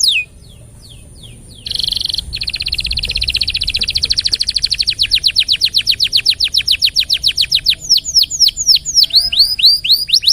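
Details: Long rolling canary song used to teach other birds: after a brief pause, a steady fast trill builds in loudness for several seconds, then breaks into looping downslurred whistles.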